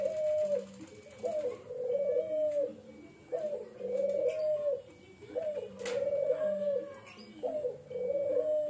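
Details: Pet Barbary dove cooing at home: low, rolling, purring coos, each rising sharply and then held, repeated roughly every two seconds in a steady rhythm. A faint hum and a single click are heard indoors.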